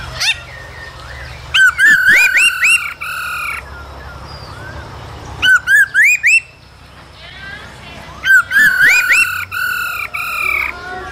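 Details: Laughingthrush male in cold-season song, dancing, with the female calling, used to stimulate young birds; three bursts of rapid rising whistles mixed with rough chattering, spaced by quiet gaps of about three seconds.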